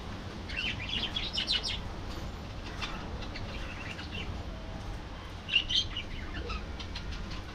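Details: Aviary colony of budgerigars; a rapid scratchy warbling phrase for about a second and a half, scattered clicks and chirps, then another bright squawky burst near five and a half seconds, with constant low hum.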